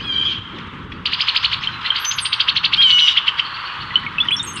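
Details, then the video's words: Male Brown-headed Cowbird courting a female with a display, Cook County, Illinois, spring 2024: a rapid, dry run of chattering pulses, about eight a second, with a few very high, thin whistles slipped in. "BROWN-HEADED COWBIRD courts female"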